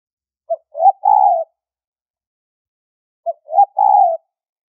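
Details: Two repeated phrases from a spotted dove in a high-pitched trapping lure, each a clipped opening note, a quick upslurred note and a long smooth coo, separated by nearly three seconds of silence.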